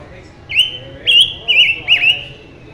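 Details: Mutant silver-eared mesia singing intensely: four loud, clear whistled notes in quick succession, each sliding and slightly warbled, spaced about half a second apart, over a faint low background hum.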